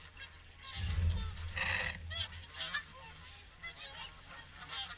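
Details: Swans at the WWT Caerlaverock evening feed call in clear, ringing, trumpet-like honks with strong overtones, many birds at once. A soft low rumble sits under the first seconds.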